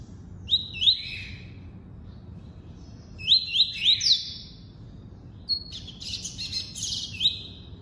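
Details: Rapid tuí-tuí song from a double-collared seedeater: clustered rising whistled sweeps in quick succession, some phrases dropping to a lower whistle, ending with a buzzier, richer section; quiet low background noise.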